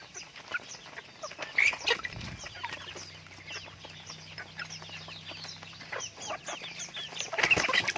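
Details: Flock of pet chickens with rapid, irregular chirping, several calls a second, some higher squeaky notes early and late, and a low droning hum underneath for a few seconds.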